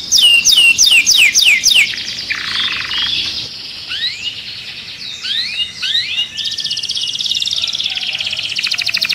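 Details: Canary singing to activate other birds for mating. It opens with quick repeated swooping notes and a buzzy section. Scattered rising whistles follow, then a long, high, fast trill.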